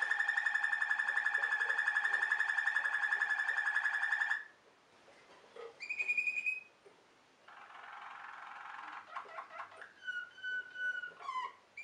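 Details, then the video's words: Waterslager (Malinois) canary singing a rapid, rattling low roll for about four seconds, then high whistles, a soft buzzy tour, and a low fluted whistle with bubbling notes. "Waterslager canary singing Malinois canary"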